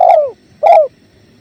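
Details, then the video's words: Spotted dove (tekukur) heard over clear river flow: two hoarse coos, each sliding gently downward and fading, about half a second apart, with a soft low wash behind them. "Masteran Tekukur River Flow"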